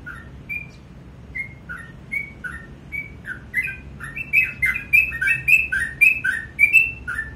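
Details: Sooty-headed bulbul morning song starting with spaced whistled notes, then building into a fast, dense burst of high and low whistles mixed with sharp ticks.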